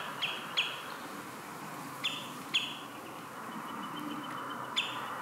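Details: Common redshank with four chicks out in the open at Marshside RSPB Reserve, Southport, Lancashire, in mid-July 2018; sharp, high piping notes come singly and in pairs against a steady hiss of background noise.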